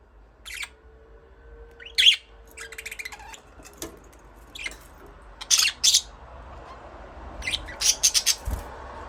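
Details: Budgerigar chatter of short, sharp, high chirps and squawky notes in irregular bursts, some doubled or tripled, separated by brief silences, with a faint hum behind.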